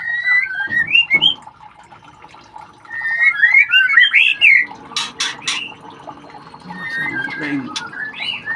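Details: Chicks of white-rumped shama during ringing give quick bursts of twisting whistled chirps, with loud handling clicks and rustling between the calling.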